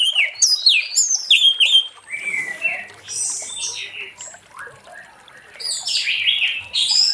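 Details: Orange-headed thrush in late afternoon song meant to prompt other thrushes to sing; bursts of high whistled and slurred notes at start and end, a softer buzzy jumbled passage between.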